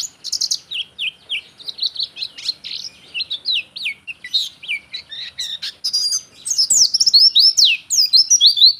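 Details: Lively Oriental white-eye song, a pleci recording for tutoring caged birds or luring wild ones: almost continuous high, rapid twittering of slurred and rising whistled notes, growing denser and louder in the second half.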